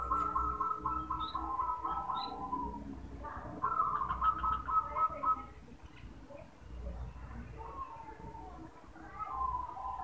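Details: Male zebra dove calling: bursts of fast, stuttering coos run together into rolling phrases, loud at first, then a quieter gap, then resuming softly near the end. Faint high chirps from other birds are heard.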